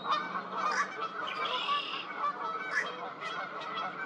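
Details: Fish crows, a new spring arrival, recorded April 8, 2023 at Twin Lakes, give short, nasal, honking caws overlapping in a steady chatter, several calling at once, with a few higher notes from other birds.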